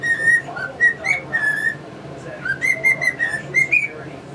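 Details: Pet male cockatiel kept with two English budgies, performing learned tunes including Yankee Doodle Dandy and the Mexican Hat Dance; clear fluting whistled notes held and stepped in a melody, with soft budgie chirps and room noise behind.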